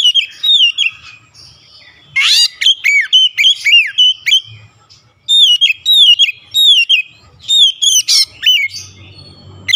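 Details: Loud oriental magpie-robin song used to provoke a rival bird. Clear whistled phrases repeat quickly, broken by a harsh, scratchy burst near the start and another near the end, with brief silences between runs.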